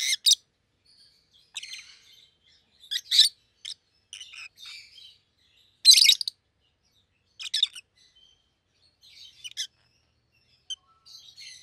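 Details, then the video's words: Pair of healthy, full-bodied caged rosy-faced lovebirds, one yellow and one green, both red-headed; loud, full voice. Sharp high-pitched shrieking chirps in irregular bursts, some harsh and broadband, with softer twittering between, about twenty per minute. "Lovebird's Sounds - Lemon & Melon - Rosy-faced Lovebird"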